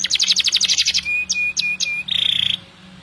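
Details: Canary singing at length: a rapid high trill, a few clear level whistles, then a dense buzzy roll, with a soft steady low hum behind.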